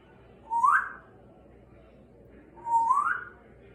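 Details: An elderly rescued Congo African grey parrot, 32 years old, whistles indoors. Two clear rising whistles, each sweeping upward and lasting about half a second, come roughly two seconds apart over faint room hum.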